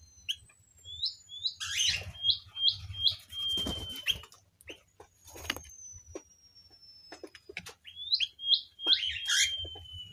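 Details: White-crowned forktail kept in an aviary: quick runs of short, sharp upslurred high notes, a long thin whistle sliding slowly downward between them, with scattered clicks, rustling and a low background hum.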